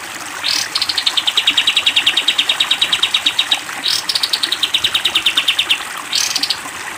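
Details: Long rapid-fire 'tembak panjang' song of a sooty-headed bulbul for training cage birds: two extended trains of fast repeated high notes, each opened by a short rising sweep, over background hiss.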